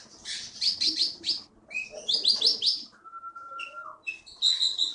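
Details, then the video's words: Champion contest bird caught in the forests of Bangka sings bursts of rapid high chattering notes, then a long level whistle and sharp high chirps, with pauses between phrases. "KEETY BURUNG JAWARA FULL GACOR"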